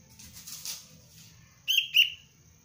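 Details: Young sooty-headed bulbul of the Cengkram line, in basic training as a lure bird: after quiet background hum, two sharp, bright chirps sound in quick succession near the end.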